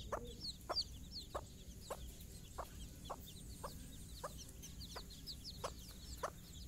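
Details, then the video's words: Morning walk of a mother hen with chicks out for their first time: a regular series of soft clucks, nearly one per second, and constant high-pitched cheeping from the brood. "mothers hen call her babys for morning walk"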